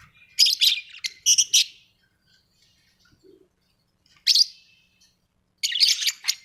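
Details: Home-kept budgies giving short clusters of sharp, buzzy high chirps separated by quiet pauses of one to three seconds, with a soft low blip in the silence.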